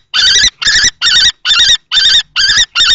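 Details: During a fight between an adult and a young male common kestrel over a nest box at Théding on 20 March 2024, loud shrill wavering notes come in quick succession, seven in three seconds.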